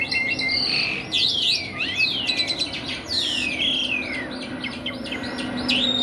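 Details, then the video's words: Asian pied starling, a kept songbird, singing nonstop: varied whistled phrases, sharp downslurs and rapid buzzy notes, with a low steady hum underneath. "JALAK SUREN GACORR,..Suara tiada henti henti"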